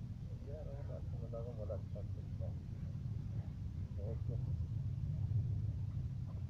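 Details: A first-cross chukar partridge gives short bursts of wavering, chuckling notes early on and again near the fourth second, over a heavy engine rumble.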